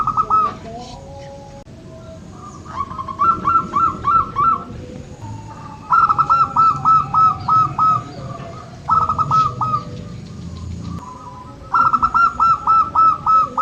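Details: Repeated zebra dove phrases, a local bird's call used to encourage doves that seldom sing, come as strings of six or seven clipped, ringing coos in quick succession, the phrases following one another every few seconds.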